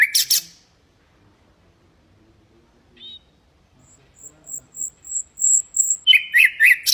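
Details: Common nightingale singing for canary and goldfinch training: a short harsh burst, then a quiet gap. A row of thin, very high repeated notes follows before loud, rhythmic rattling phrases return.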